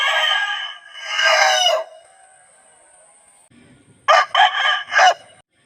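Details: An Aseel rooster, recorded close up in slow motion, gives a harsh, drawn-out crow, then a second crow broken into three loud bursts.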